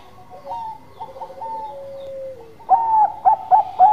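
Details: Singing Bangkok zebra dove: soft broken whistled coos over a long falling low note, then four loud bubbling coo bursts in quick succession near the end.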